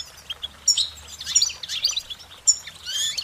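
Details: Brief, spaced goldfinch song: separate high chirps and short twittering notes, some ringing and bright, with a longer warbled phrase at the close and quiet gaps between.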